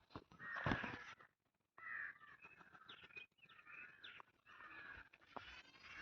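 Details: Indian crow in a village near Hosur, amid greenery, giving a loud harsh caw followed by a series of rougher, scratchy caws, with a faint bird chirp and soft rural background.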